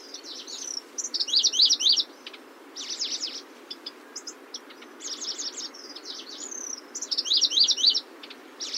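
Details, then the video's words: Locustella grasshopper warbler song: bright bursts of fast zigzagging notes alternating with thinner scattered chips and short drawn whistles, steady background hiss throughout. "Сверчок. Голоса птиц"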